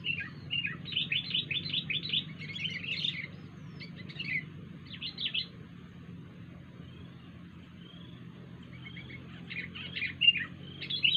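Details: Strange-sounding call from a wild sooty-headed bulbul: bursts of quick, scratchy chirped notes in bunches, a pause with a few thin whistled slides, then another chattering burst, over a low background hum.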